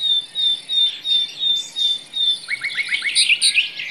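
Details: Nightingale in a forest: a run of pure, steady whistled notes pulsing about twice a second, then a fast, rattling series of short falling notes mixed with higher chirps.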